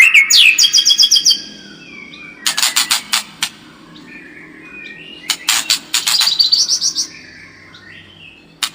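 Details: White-rumped shama song used as a lure to make a kept bird more combative: a fast whistled trill with repeated notes, then bouts of harsh rasping bursts and faint whistles.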